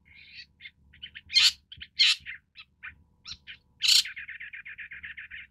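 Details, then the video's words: Long-tailed shrike (Lanius schach): scratchy chatter and short chirps punctuated by loud harsh bursts, ending in a fast, steady stuttering series of clipped notes. "棕背伯勞/Long-tailed Shrike"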